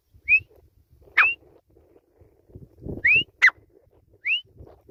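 A grey francolin gives shrill, rising whistled notes about once a second, with sharp clicks and a faint low rumble between them.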